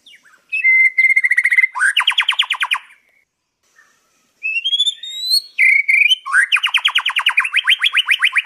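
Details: Wild white-rumped shama in Indonesia singing clearly, recorded as a tutor song for captive birds: pure whistled notes near one pitch, then fast rattling trills of rising-falling strokes, a pause, rising whistles and another long rapid trill.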